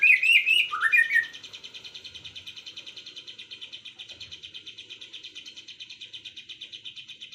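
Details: Birds in the afternoon: a quick burst of warbled whistling notes gives way to a long, even, high rattling trill repeated at a steady fast pace.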